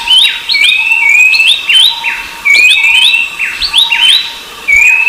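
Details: Rufous-browed babbler heard alongside Horsfield's babbler: bright upward-sliding whistles run together in bursts roughly every second, with short pauses between phrases and overlapping voices.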